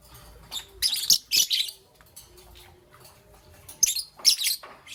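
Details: Morning chirps from a young peach-faced lovebird: clustered high, scratchy chirp bursts early on, a long pause with faint low background hum, then another burst of raspy chirps near the end.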